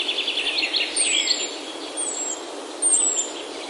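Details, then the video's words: Birdsong in a Himalayan oak forest near home in Himachal, India, on a mountain walk: several high chirping, trilling phrases and thin descending whistles over steady forest ambience. "Himalayan Oaks Alive with Birdsong"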